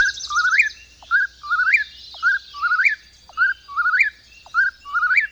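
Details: Eastern Whip-poor-will giving its famous breeding-season song, a rolling, rising three-note whistled phrase repeated about once a second, five times in a row, over a high insect chorus.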